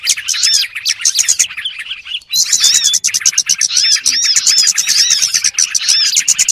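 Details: Lure sound of small birds for bird trapping: busy, high twittering and quick slurred chips, a brief thinner stretch near two seconds, then a louder burst of crowded chattering that runs to the end.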